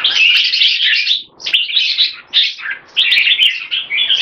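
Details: Caged jambul, or red-whiskered bulbul, Olympian class, doing a speed action display with keke. Loud, buzzy, tumbling phrases are delivered in four close bursts separated by short pauses.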